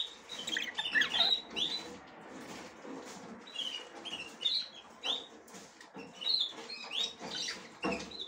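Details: A female budgerigar trying to get into the nest for the first time gives a busy run of quick, bright chirps and warbled notes, some sharply rising, mixed with rustling and scratching sounds.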